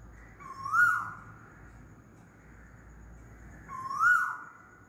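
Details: Asian koel calling loudly: two rising, whistled notes about three seconds apart, each swelling then dropping away, over a quiet low background hum.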